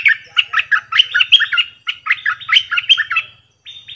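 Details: Bulbul kept as a decoy bird, singing many songs in a row: fast run of bright warbled notes, each a rising and falling whistle, packed closely for about three seconds, then a short pause and two more notes.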